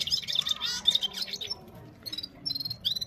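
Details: Gulsar, or red-fronted serin, singing among five others, recorded on an Oppo A76 phone: a rich jangling warble of fast slurred notes, a pause, then short bursts of buzzy, metallic twitters.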